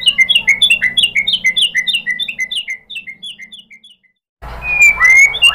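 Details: White-rumped shama (murai batu) giving a lure song of mimicked material for prompting other shamas to sing. A long series of quick repeated chirping notes that fades out, brief silence, then a burst of high whistles over background noise.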